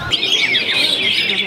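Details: Greater green leafbird (Chloropsis sonnerati), a contest bird at the Twister Cup 1 songbird competition in Semarang, pouring out a loud, continuous run of high, rapid warbling and chattering notes with no pause.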